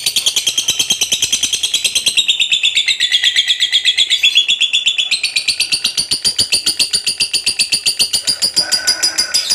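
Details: Contest fighter lovebird in a long ngekek chattering song: a fast, unbroken stream of shrill, rasping notes, about four per second, with the pitch dipping and then rising partway through.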